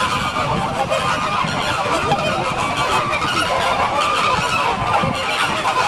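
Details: Flock of pink flamingos in San Diego producing a thick, unbroken wall of raucous goose-like honks and gabbling calls.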